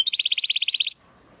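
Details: Belgian canary giving a single rapid, buzzy trill of about fifteen pulses lasting under a second, followed by quiet.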